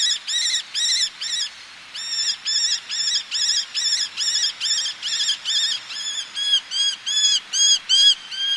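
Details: Eleonora's falcon colony by the sea, a male calling close with females calling from ledges; a long sequence of nasal, rasping squawks from overlapping birds, briefly pausing near two seconds, then speeding up toward the end.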